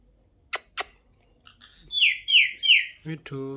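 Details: Talking pet parrot indoors: two sharp clicks, then three repeated bright, squeaky syllables roughly every third of a second, ending in a low buzzy, voice-like sound.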